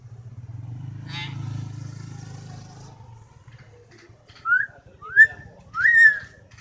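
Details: Common hill myna whistling, described as loud and sharp: three clear upward-sliding whistles in the second half, after a stretch of passing vehicle rumble with a brief chirp near the start.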